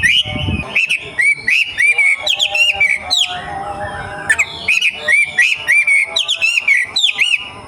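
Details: Wild young wambi from the forest giving bursts of bright, warbling whistles, each phrase made of quick up-and-down slurs, separated by brief pauses.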